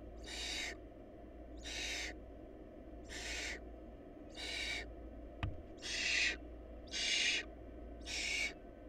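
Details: Barn owl nestlings from a family short of food repeat noisy hissing screeches about once per second, seven bursts, with a sharp click midway and a low hum beneath.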